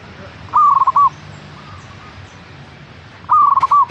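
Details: Song of a local zebra dove used as a lure to make caged doves sing more often; two rapid, stuttering coo phrases roughly 2.8 seconds apart, softer distant cooing in the gap.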